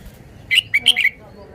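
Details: Red-whiskered bulbul giving a lively, warbling phrase of roughly five short whistles, pitched high and slurred together toward the end, in a quiet setting.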